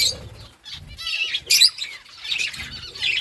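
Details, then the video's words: Pet budgerigars chirping while eating food: a busy overlapping chatter of high, scratchy chirps and warbles, with a brief thin whistled note and soft low thumps of movement. "budgies chirping sounds"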